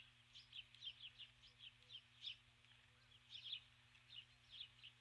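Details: Female osprey on her nest at dusk on 21 July 2015, calling for her mate after landing with a stick; a series of high, thin chirped whistles, each a short cluster, repeated about once a second over a faint steady hum.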